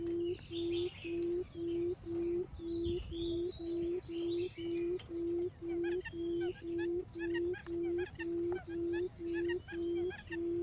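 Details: Quail giving low, hollow hooting notes, steady in pitch and about twice a second, used as a lure call to draw other quail in; high chirps and other birdsong in the background.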